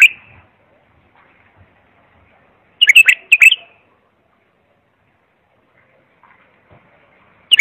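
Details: Clear bulbul song used to teach young bulbuls: short bursts of fluty, warbling notes, a double phrase near the middle and clipped phrases at the start and end, with faint soft chirps between.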